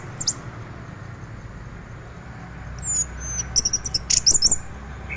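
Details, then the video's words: Orange-headed thrush singing in 'teler' style as a morning lure for other thrushes; one brief high note early, then after a quiet stretch a dense burst of sharp, high twittering and slurred whistles. "anis merah teler, pancingan anis merah lain untuk merangsang bunyi dipagi hari"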